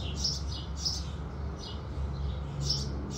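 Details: House sparrows at sunrise give a few softer, high chirps spaced irregularly, partly blurred, while a strong low rumble fills the background.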